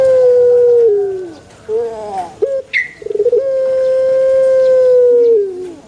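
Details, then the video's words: Prized Pelung rooster crowing twice. The first long, level tone tails off downward, followed by a few short stuttering notes and a brief high chirp. It then swells into a second sustained, ringing crow that falls away at the close. "puter pelung Andalan"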